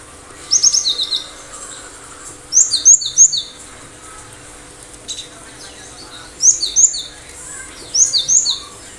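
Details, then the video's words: Repeated high, piercing whistled phrases of a Cinereous tit, four bursts of quick clipped notes roughly every two seconds against a quiet background. "Gelatik batu gacor dalam hitungan detik di jamin ikutan bunyi"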